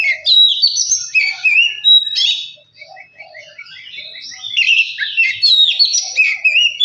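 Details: Oriental magpie-robin singing, meant to provoke a reluctant bird into song: bright whistled slurs and buzzy notes, then a quieter stretch of soft chattering before loud varied phrases return.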